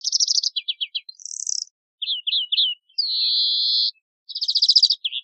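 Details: European greenfinch (Chloris chloris), song.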